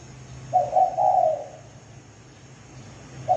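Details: Spotted dove lure call: one soft cooing phrase, a quick note then a longer falling coo, and the start of another at the end, over a noticeable low hum and hiss.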